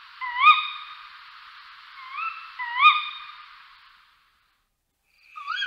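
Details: Tawny owl calling with rising, upslurred notes repeated a few times over several seconds, then a short silence and the start of another call.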